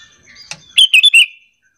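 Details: Lure Sooty-headed bulbul calling to draw replies from other bulbuls: a soft chirp, then a quick run of four bright, liquid notes falling slightly at the end, with a clean silent tail.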